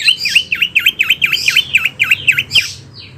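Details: Wambi bird song, a recording meant for tutoring oriental magpie-robins and other cage birds: a fast series of about ten identical V-shaped whistled notes, dipping and rising, several per second, then a brief higher flourish.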